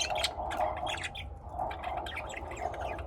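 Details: Lovebirds raised at home in Austin, Texas, keep up a fast, busy twitter of short raspy chirps in an unbroken stream, backed by a low steady room hum.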